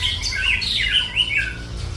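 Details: White-rumped shama giving a short burst of rich, warbling whistles that bend up and down, some notes harsher and squawk-like, packed closely together over a constant low background hum.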